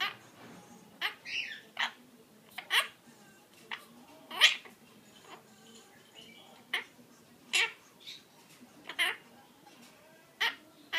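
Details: Pet monk parakeet, a male, chattering after his bath, recorded in May 2013: a series of short raspy, squeaky syllables and screechy bursts, spaced irregularly about every second, in a quiet indoor room.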